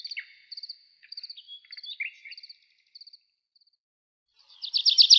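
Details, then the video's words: Nightingale singing at night in a forest: short high phrases of chirps, quick trills and a thin whistle separated by silent gaps, ending in a loud, rapid, buzzy trill. "How beautifully the nightingale sings"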